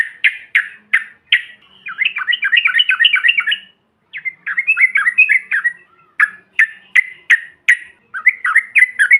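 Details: Yellow-vented bulbul sounds, said to set off other birds: a few sharp chirps, then a long bubbling warble of fast tumbling notes, a pause, more warbling, and spaced single chirps, clean and free of other noise.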